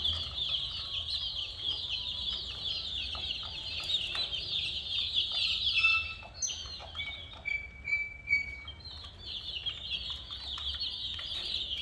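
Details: Many colourful chicken chicks keep up a shrill chirping chorus; midway it briefly thins, and a few clear steady whistle-like tones sound before the high peeping resumes.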